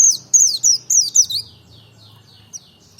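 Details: Merapi white-eye in ngalas style, meant to stir other birds to sing: five loud high whistles falling in pitch, then fading, softer echo-like notes trailing off.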